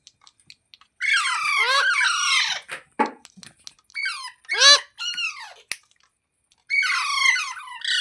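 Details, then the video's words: Harsh, drawn-out parrot squawking with sliding, raspy notes, several bursts in a row, a short muffled thump midway, then a pause before a final long grating call. "Parrot Talking Sounds Videos | Parrot Voice |Parrot Ki Awaaz"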